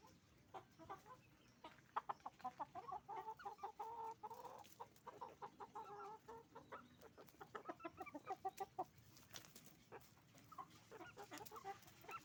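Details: Roosters and hens on a chicken farm making noise: dense, overlapping clucks and short drawn-out squawks from many birds, irregular and continuous across the recording.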